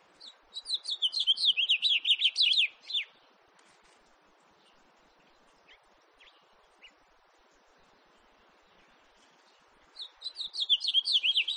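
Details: Warbling song of a house finch: a fast run of jumbled, slurred high notes for about three seconds, then near silence with a few faint chips, and the bubbly phrase starting again near the end.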